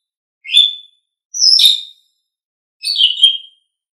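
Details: Asian pied starling, a training bird, gives three separate harsh whistled calls, each about half a second long, spaced roughly a second apart.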